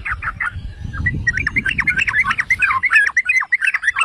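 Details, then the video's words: Yellow-vented bulbul song played to provoke rival bulbuls: a few gurgled notes, a short gap, then a fast excited stream of sharp liquid chirps, about three per second, over faint low noise. "Pancingan dan Masteran Trucukan"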